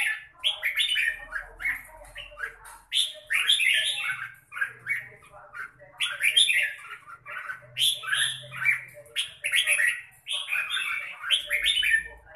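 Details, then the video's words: A red-whiskered bulbul sings rich, warbling phrases, bubbly and slurred, in bursts of a second or two with short pauses between. "Chào mào bộ đẹp lối chơi mãng nhãn"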